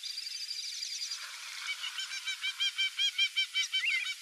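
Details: A flock of Brazilian teal, wild ducks; high, thin, rapidly repeated whistled calls from several birds, building into a steady pulsing series of about three notes per second over a constant hiss.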